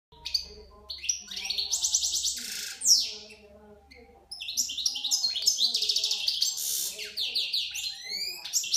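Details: A European goldfinch sings to a female canary: a rapid, liquid twitter of tinkling and buzzy high notes, almost unbroken apart from a brief pause partway through.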